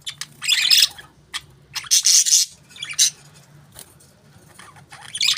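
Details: Pet budgies give separate bursts of bright, raspy chirping, each under a second long, separated by quiet spells with a faint low hum.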